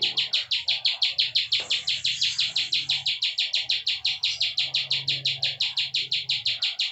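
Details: Klik song of a plain prinia (ciblek sawah), offered as tutor material for cage birds: rapid, even series of harsh, high chirps, roughly three per second, running for the whole stretch.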